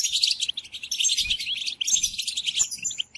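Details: European goldfinch song played to captive goldfinches for song training during moult: dense, rapid, high twittering with liquid trills and buzzy notes, barely pausing, with faint low knocks underneath.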